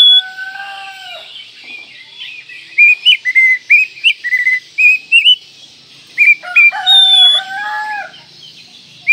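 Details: Oriental magpie-robin song of quick, varied whistled notes in a lively string, with a rooster crowing at the start and again partway through.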